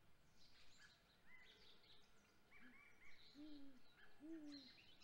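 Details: A female great grey owl, flushed off her eggs at 7:24 am on 17 April 2020, returns to the nest vocalizing with two low, soft hoots about a second apart, each sliding slightly downward, as small birds chirp behind.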